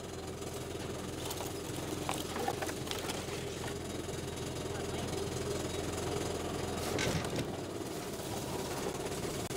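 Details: Quiet human speech over an idling engine with knocking mechanical clatter, with no animal calls.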